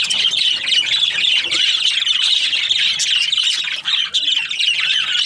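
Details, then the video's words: Morning chorus of several budgies: steady, busy high-pitched chirping and warbling, many birds calling at once without pause, the chatter briefly thinning near the four-second mark. "Amazing budgies chirping sounds in the morning"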